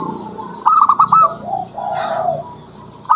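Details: Zebra dove used as a training master song: a quick rolling series of four coos, then lower soft murmuring notes, with another coo starting at the end.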